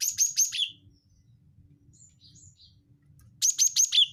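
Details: Cinereous tit (gelatik batu wingko) calling to lure birds: a rapid burst of four high, hard chips, then a lull with a few faint thin notes, followed by another fast four-note burst.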